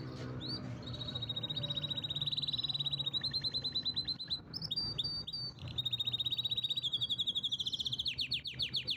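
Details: Canary in a powerful, sustained song: long, rapid, high trills of tightly repeated notes, briefly broken by sharp upward chips, then a rattling roll that builds to louder, coarser notes at the end.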